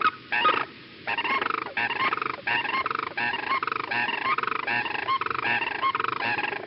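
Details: Sandhill Cranes, a bonded pair on their breeding territory, give the unison call to defend territory or strengthen the pair bond: loud rolling, bugling calls, two voices overlapping in rapid repeated bursts for several seconds.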